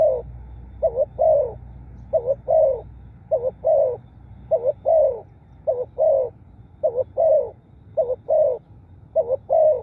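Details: Spotted dove cooing steadily for ten seconds, about nine phrases of paired short notes ending in a longer soft falling coo, repeated roughly every second with a quiet low background.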